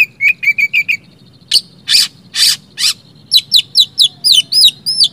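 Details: Oriental magpie-robin singing, meant to trigger silent magpie-robins to answer: a few repeated whistled notes, then three broad harsh rasps, followed by quick rising and falling whistled slurs in a lively run.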